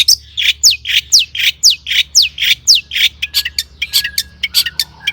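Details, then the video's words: Long-tailed shrike song used to make other shrikes sing: a bright whistle sliding sharply downward, repeated about every half second alongside harsh notes, then a burst of quick chattering with thin level whistles. "suara cendet gacor PALING DI MINATI,, PANCINGAN CENDET AGAR BUNYI jadikan BURUNG PENTET GACOR ISIAN"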